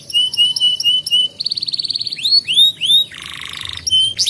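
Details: Canary master song for young learners and as a lure: clipped repeated whistles, a buzzy trill, looping upward swoops and a harsh buzzy phrase, then more rising notes.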